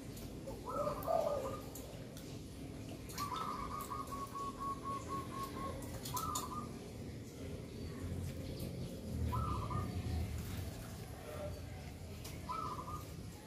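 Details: Zebra dove used for luring and catching at the sacred site of Tapak Jedah, giving short stepped, trilling coo phrases about every three seconds, one drawn-out phrase among them, over a low rumbling background with faint clicks.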